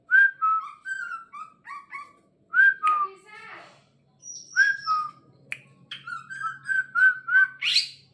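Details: Bornean green leafbird kept in a cage and being trained, producing quick series of slurred whistles, a high thin note and a harsh rising burst at the end, with faint speech and a low hum behind.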